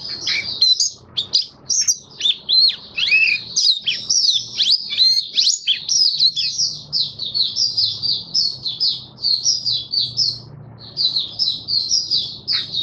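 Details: Kept white-eye delivering buka-style song, May 2022, following a regular deworm treatment: fast, high-pitched twittering warble with sharp upward and downward sweeps, almost unbroken for about thirteen seconds, a short gap near the tenth second.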